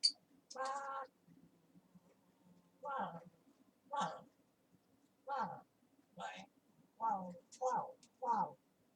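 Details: Talking parrot kept indoors in a small room, producing a long run of speech-like syllables, eight short voiced bursts spaced about a second apart with a steady background hum.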